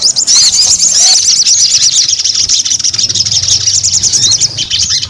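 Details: Continuous high-pitched chattering song of a sogon, dense trills and twittering notes running without a break for five seconds, with a soft low rumble underneath.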